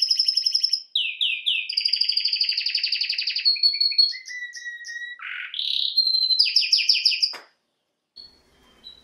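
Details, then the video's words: Canary song of varied tours: repeated downslurs, fast rolling trill, short whistles, a low nasal note, then quick chirps before silence. "Canary bird Singing"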